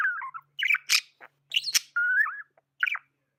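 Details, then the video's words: Tame budgerigar chirping: wavering warbled chirps mixed with sharp noisy squawks, including a level, gently rising whistled note, all in a quick, lively sequence. "Amazing budgie chirping sounds"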